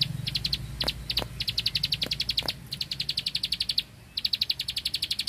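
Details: Bar-winged prinia, rice-field bird, in vigorous burst song: quick series of high, dry clicking notes in volleys of four to eight, one short silence, then another rapid run; faint low noise below.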